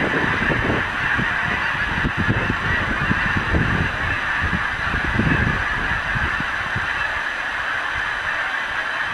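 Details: Huge flock of geese coming in to roost in a milo field on a February 2015 evening, a nightly ritual: dense continuous honking and clamour from many birds, with a steady rushing wash of noise.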